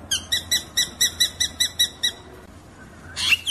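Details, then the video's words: Drongo song in the 'ngeroll' rolling style, used to tutor caged songbirds: a steady string of about nine clear, ringing notes at a fast pace, a quiet gap, then a sudden harsh burst at the end over a faint low hum. "kicauan srigunting ngeroll"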